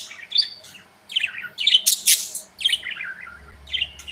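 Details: Pet budgerigars chirp and interact inside a cozy aviary: bright, close warbling bursts of descending chirrups, one harsh squawk-like buzz in the middle, then more rolling chatter.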